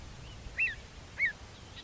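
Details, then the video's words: Pied avocet in a field recording: two short, ringing, slightly arched notes about half a second apart, faint against a steady low rumble of background noise. "Avocet - Bird Song Identifier"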